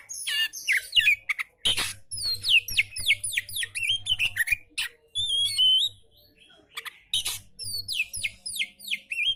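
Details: Relaxed oriental magpie-robin song played as a tutor for magpie-robins that are lazy to sing. Bright, sharply down-slurred whistles repeat in quick series, broken by short pauses and a few thin high warbled phrases.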